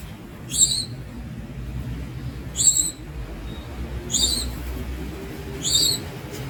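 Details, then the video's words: Young Javan Munia (Lonchura leucogastroides) giving four high, bright, rising calls at intervals of one and a half to two seconds, over low background rumble. "The Young Javan Munia Bird"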